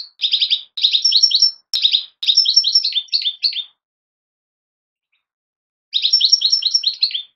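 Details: Young European goldfinch fledglings twittering in fast, high, jingling runs of clipped notes, one long busy burst, then a two-second silence before another run of chirps.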